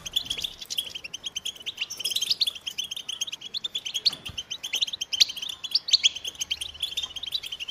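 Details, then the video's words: American goldfinches giving quick, sweet, high twitters and scattered sharp chips, phrases tumbling over one another in an energetic song. "The Joyful Songs of Goldfinches"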